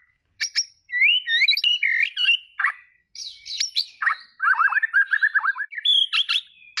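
A white-rumped shama sings a rich, fast-changing medley of clear fluty whistles, slurred notes and sharp chips, new phrases tumbling out every half second against a quiet background.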